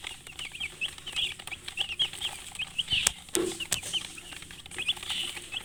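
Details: Chicken chicks chirping alongside a hen, giving quick, high, upward-sliding peeps in a steady overlapping chorus, broken by a few sharp knocks and a short low sound midway.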